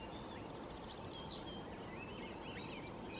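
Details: A flock of cedar waxwings (Bombycilla cedrorum) in the Pacific Northwest gives thin, very high, lisping whistles, several birds overlapping in quick succession over a steady hiss of wind or distant traffic.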